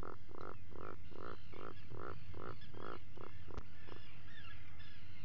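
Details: In the burrow at breakfast time, 04:58, 28 June 2019, an Atlantic puffin gives a steady series of low, buzzy, groaning pulses, roughly two per second, ending in a faint clack, caught on a burrow cam.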